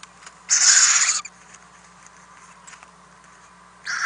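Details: Nest-box owlets during overnight food deliveries on 10 April 2018, one rough, breathy hissing screech about three-quarters of a second long, quiet faint rustles, then another screech starting at the end.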